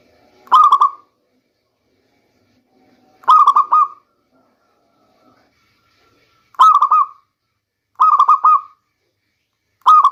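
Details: Local zebra dove repeating its stuttering coo phrase five times at irregular gaps of one to three seconds, each burst of quick pulses ending in a short held note. The song serves as a rainy-season lure.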